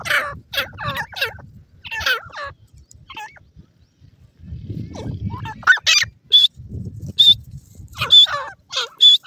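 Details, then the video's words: Grey francolin chicks squabbling over grass in forest: bursts of harsh squealing calls and high whistled notes, with rustling low noise between them. "grey francolin chicks fight over grass in the forest"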